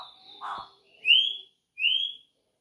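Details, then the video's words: Campo troupial singing while perched on a person's finger: after a short soft note, two clear, loud whistled notes rise slightly, each about half a second long and separated by a brief pause. "PÁSSARO CORRUPIÃO CANTANDO EM CIMA DO DEDO!"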